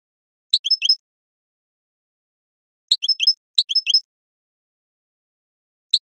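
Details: European goldfinch song used in training and to stimulate breeding birds toward mating: three short, high twittering bursts of quick chirps, the second and third close together, separated by silence.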